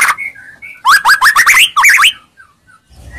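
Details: Shama lure for a silent White-rumped shama: soft calls, then a loud burst of looping, twisting whistled phrases, fading into quiet scattered notes.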